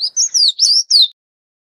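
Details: An Oriental magpie-robin feeding its chicks gives a quick run of five high, thin, sliding, wavering chirps over about a second, then falls silent.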